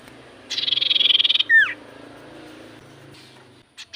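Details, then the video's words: Javan white-eye song, used as a lure to make common iora sing back: a high buzzy rattle of rapid pulses lasting about a second, then one loud downslurred whistle, with faint low hum and a soft click at the end. "Pancingan Burung sirtu cipoh gacor"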